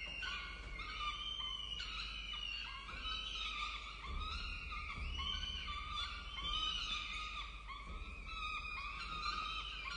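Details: Wild peregrine falcon chicks at a nest on a university campus in Orange, Australia, 23 October 2023, beg while being fed: harsh, wailing, harmonic cries repeated and overlapping almost without pause.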